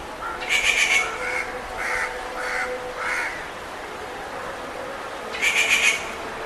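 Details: Rufous treepie calling in harsh, grating bursts: a long rasp, then three shorter croaking notes in quick succession, a pause, and a final loud harsh burst. A faint low hum runs underneath.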